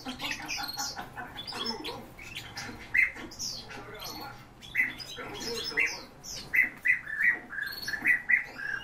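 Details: Song thrushes kept by their owner give short, bright whistled notes, repeated in quick bursts in the second half, after an opening stretch of mixed chirping and murmuring.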